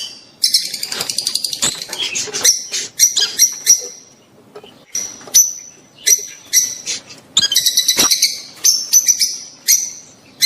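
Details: Rosy-faced and Fischer's lovebirds in a mating call to encourage the female to breed. Fast rattling twitter gives way to scattered shrill squeaks and short whistled notes with brief gaps, then another chattering burst.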